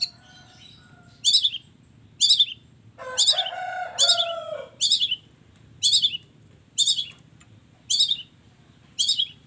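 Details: Long-tailed shrike song in a combination-style song mix: harsh, buzzy high notes repeated about once a second, broken by a lower whistled phrase of falling, gliding notes.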